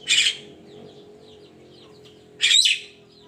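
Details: Javan myna heard in the morning, giving two rasping, noisy bursts more than two seconds apart over a background of soft twittering birds and a low steady hum.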